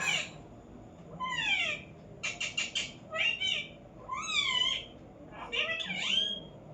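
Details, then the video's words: Pet parrot making varied sounds indoors: falling whistles, a quick burst of rapid clicking notes, and wavering harmonic speech-like phrases, each separated by brief silence. "parrot sound"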